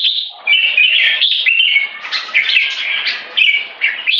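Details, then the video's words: Caged red-whiskered bulbul, known locally as jambul, delivering its 'one stroke' song that runs into 'keke'. Bright, rapid whistled and chirped phrases repeat roughly every half second with short breaks between them. "Jambul Video 1 Troy One stroke singing lead to keke"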